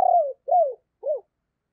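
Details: Deep-voiced decoy spotted dove cooing: a long descending coo followed by two shorter falling notes, clean and close with no other sounds.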